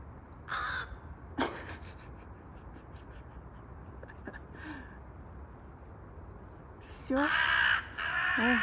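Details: Unsettled crows: one harsh caw, then a long gap with faint distant calls and a woman talking softly. A final burst of two drawn-out raspy caws overlaps her voice.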